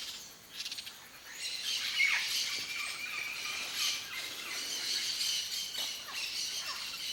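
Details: Wild yellow-faced parrot, papagaio-galego, in natural Cerrado habitat of Brazil, giving harsh, noisy squawks in irregular bursts, with a few short thin whistles among them and a steady outdoor background.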